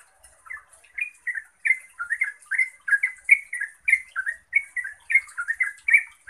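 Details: Rapid, gurgling song from a yellow-vented bulbul, meant to get other bulbuls singing back: soft notes at first, then a steady stream of liquid, slurred chirps.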